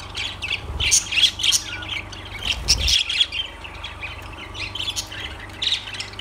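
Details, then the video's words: Lovebirds give sharp, high squawks and chirps in quick uneven bursts of about four a second, more crowded in the first half, with a soft low rumble. "Lovebirds Sounds Birds Singing"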